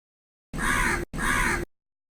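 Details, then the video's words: Crow in a tree giving two long, hoarse, grating caws back to back, almost joined, each rough and nasal, with nothing else heard. "crow call live from the tree"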